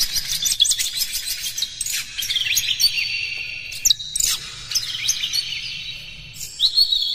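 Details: Lure song of an Oriental magpie-robin, meant to stir other magpie-robins into singing and fighting. Busy high-pitched whistled phrases and quick chirps overlap without pause, briefly dipping in loudness near the end before resuming.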